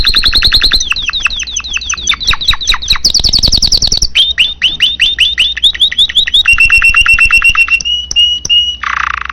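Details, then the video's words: Nonstop domestic canary song ('gacor') meant for training other birds. Rapid tours of repeated whistled swoops shift into dense trills and level high chirps, ending with a short coarse buzz. "kenari kicauan gacor"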